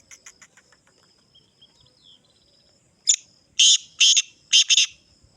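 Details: Black francolin of the Sindhi type: after faint chirps, a harsh, grating phrase of four loud rasping bursts, the last two closely paired, about half a second apart.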